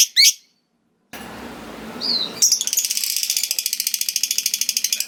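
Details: Chatty lovebird delivering a long ngekek, the drawn-out trill that makes rival lovebirds reply, here a very fast, even run of shrill ticking notes lasting over two seconds after a short squeak and a rustling noise.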